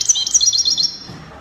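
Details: European goldfinch, Spanish copia song style from Morocco: a short burst of quick, high, twittering notes lasting under a second, fading into quiet.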